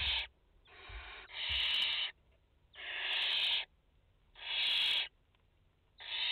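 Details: Mother barn owl and four chicks in a nest in France, late August 2021: loud breathy hissing screeches of about a second each, coming roughly every second and a half, with quiet gaps between.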